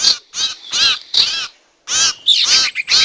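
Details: Harsh, hoarse sirtu calls from a lure recording for trapping wild birds, given in separate grating bursts about every third of a second, then a short silence and a busier, overlapping run of calls.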